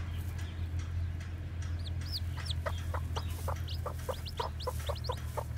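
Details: Newly hatched white black-tailed Japanese bantam chicks walking about: high thin downslurred peeps repeated rapidly, with short lower clucking notes in quick succession over a steady low hum.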